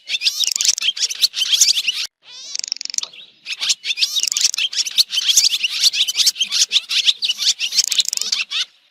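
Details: Swallow chatter from a 2023 recording: loud, unbroken streams of high, scratchy chirps, interrupted once by a short rising buzzy trill and a brief hush.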